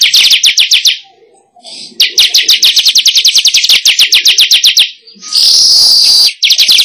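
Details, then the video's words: Weaver lure call used to attract wild weavers, dense rapid chirping notes repeated in fast trains of around three or four per second, broken by short pauses and a brief harsher buzzy burst. "Suara Pikat Burung Manyar"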